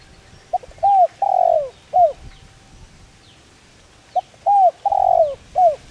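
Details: Calling spotted dove whose voice is used to lure and train decoy birds. Two full phrases about three seconds apart, each of a short lead note, a bowed coo, a long sagging coo and a closing bowed coo.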